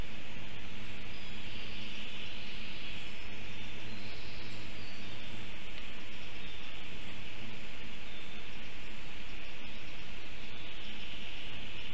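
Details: Steady broadband noise with a low hum and faint rustling; no animal calls stand out.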